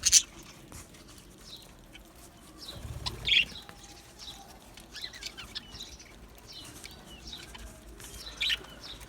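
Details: Several budgies chatter in thin, high twittering chirps, a few sharper louder calls standing out, amid rustling and occasional wing flapping.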